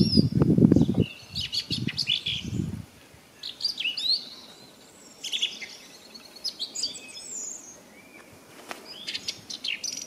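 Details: A song thrush sings bright, varied whistled and chirping phrases with short pauses between them, over low rumbling thumps in the first few seconds.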